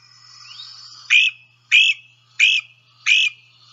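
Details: A Great Crested Flycatcher, in a Sibley guide recording, gives its weep or creep call, scream-like: four loud, harsh, rising notes, one about every two-thirds of a second, with faint hiss between them.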